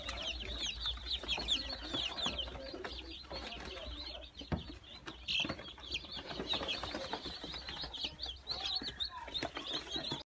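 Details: Newly hatched Brahma chicks, 22 April 2018; a busy chorus of piercing, downslurred peeps from many chicks at once, almost unbroken, over soft rustling and occasional clicks.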